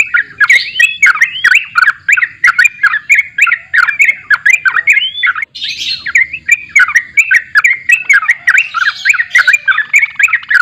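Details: Sustained, chattering borak barik song of a sooty-headed bulbul: rapid bubbly whistled notes in a steady rhythm, briefly interrupted by a harsher, wider burst midway before the chortling resumes.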